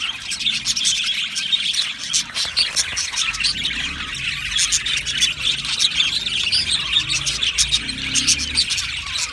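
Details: Australian budgies singing in a colony aviary, a constant bright chatter of many birds with quick chirps, trilled twitters and clicking notes layered over one another, pulsing slightly in loudness.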